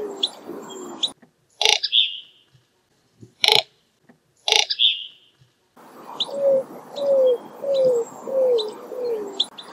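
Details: Greater roadrunner: three sharp, loud broadband clatters separated by silence, then a descending series of five low, falling coos. Scattered high chirps of other birds come in and out in the background.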